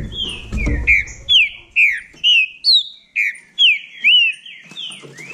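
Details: Bahia green-winged saltator in a singing dispute, delivering clear whistled notes that slide down or curl up, each burst separated by short gaps, with a low thump near the beginning.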